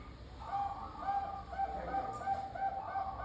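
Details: Local zebra dove in full song, used to encourage other zebra doves to respond: soft, rounded, rhythmic cooing notes in a quick bubbling series, with faint low hum underneath.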